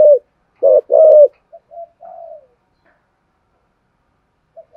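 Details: Spotted dove calling as a lure bird: a few loud mellow coos at the start, then softer trailing notes and a long fading coo, followed by silence and a faint note at the end.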